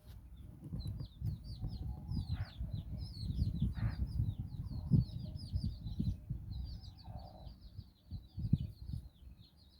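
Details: Hen leading nine chicks around in Bizkaia, Basque Country; continuous chattering of high descending peeps with short pauses, plus a few low clucks and steady low rumbling.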